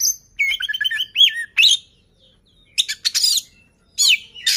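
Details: Oriental magpie-robin, kept to get other birds singing quickly, delivers a quick series of slurred whistled notes, then harsh noisy bursts separated by short pauses and scratchy squeaks.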